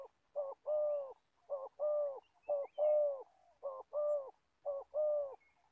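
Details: Spotted dove, an old trapping decoy from Gia Lai, Vietnam, repeating a two-part coo, a short low note then a longer arched hollow coo, five times, with faint high chirps in the background.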